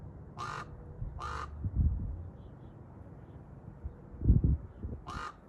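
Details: Raven calling from a tree: three harsh, raspy caws, two close together near the start and one near the end, with low thuds and rumbling background noise between them.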